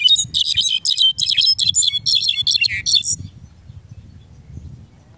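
A Mexican goldfinch sings a fast, high, twittering jumble of chirps and trills for about three seconds, then falls silent over a faint low background hum.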